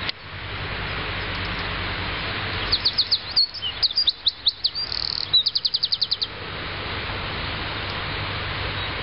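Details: A singing Eurasian wren delivers a brisk, high-pitched string of sharp notes and quick trills, ending with a rapid, evenly spaced rattle of clipped notes, the typical prrrrt finish. Constant broad hiss underneath.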